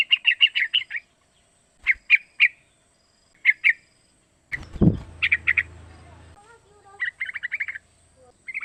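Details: Young three-month-old yellow-vented bulbul whose call serves as a lure to make other bulbuls sing: short bursts of quick chattering notes separated by pauses, interrupted midway by a loud thump and brief noise.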